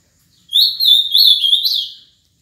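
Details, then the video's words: Ultramarine grosbeak, a seven-year-old caged male from Paraná, Brazil, delivering one clear warbled whistled phrase of about one and a half seconds, smoothly slurred notes rising and falling with a brighter upward flourish near the end; otherwise quiet. "AZULÃO PARANÁ 20 20"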